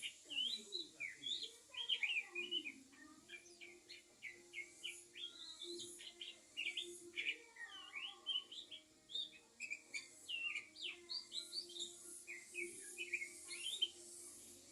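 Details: Oriental magpie-robin singing while out sunbathing: a long, varied run of clear, high whistled notes and quick chirps in irregular phrases, over a steady low hum.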